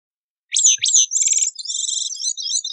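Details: Bicknell's thrush singing one high, thin phrase: two sharp downslurred notes, then a rapid stuttering, buzzy trill of rolling high notes that wavers to the end, with no other sounds.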